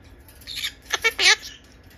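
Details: Four-year-old male monk parakeet begging its mother for food: after near silence, a short burst of harsh, buzzy squawks, two quick rasping notes followed by a longer grating, wavering note, in a quiet indoor setting.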